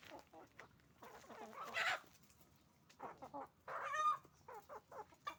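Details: Roosters and hens on a chicken farm making noise: loud raspy squawks and cackling bursts from several birds, some drawn out, others short and repeated, close to the microphone.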